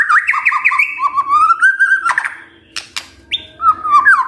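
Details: Magpie-robin lure song: quick looping whistled notes, then a rising clear whistle, a few sharp clicks, and short warbled phrases.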